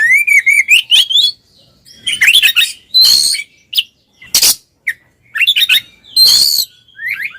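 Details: Twin Oriental magpie-robins singing in the loud ngeplong style, meant to stir silent magpie-robins into song: a rising whistled phrase climbs steadily, then bursts of harsh buzzy notes alternate with short sweet whistles and brief pauses.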